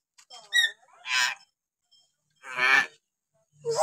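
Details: Kalimantan common hill myna making varied calls: short whistles, then nasal, honking, harsh bursts repeated about every second with brief pauses.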